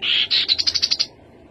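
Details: Rufous-capped babbler: a short high whistled note followed by a rapid series of about eight evenly spaced clipped notes, ending in about one second.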